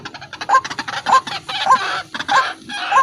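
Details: White-breasted waterhen in full voice for luring: hoarse, rising, upturned notes repeated about every half second over a rough, noisy background.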